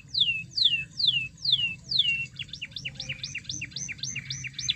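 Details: Energetic canary song meant to rouse a reluctant canary: five long, loud downslurred whistles at a slow steady pace, followed by quick hooked notes repeated several times a second in a rolling series.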